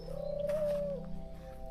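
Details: A dove (turtle doves and pigeons kept near a henhouse on a heritage estate garden in Anjou, France) gives one soft, low coo of nearly a second, swelling slightly then holding steady, over a steady low hum.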